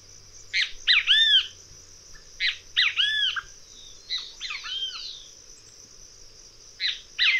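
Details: Great kiskadee calling: loud harsh phrases of two or three arched, strident notes, given in bursts a few seconds apart, over a steady high insect hiss and low background hum.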